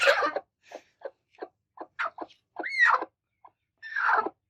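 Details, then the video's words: Angry broody hens on the attack give a rough opening squawk, then a run of short soft clucks, then a loud rising-falling squeal and a final harsh, noisy squawk. "Very Angry Two Broody Hens Attacks| Broody Hen Behavior| Broody Chicken Sound Effect"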